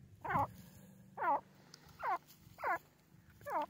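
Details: Grey francolin, or teetar, calling in a steady series: five strident, ringing notes, each a short downward-curving burst, repeated roughly every 0.7 seconds above a low continuous hum.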